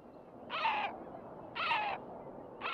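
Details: Great black-backed gull at Raghly Harbour, County Sligo, giving deep, hoarse, nasal calls of about half a second each, three in a row roughly a second apart.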